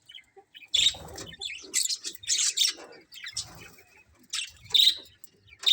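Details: A budgie colony of colourful birds chirping, scattered high squeaks and twittering bursts separated by quieter moments, with occasional soft low rustles.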